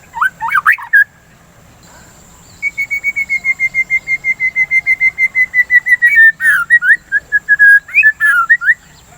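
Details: White-rumped shama lure song meant to stimulate singing and curb breeding urge: a few twisting notes, then a long, steady run of about thirty quick repeated whistles, ending in varied slurred phrases.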